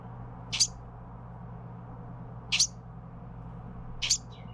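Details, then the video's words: Young Carolina wren being fed by its parents: three short, harsh, high-pitched bursts spaced roughly one and a half seconds apart, over a low steady hum. "Baby Carolina wren being fed by parents"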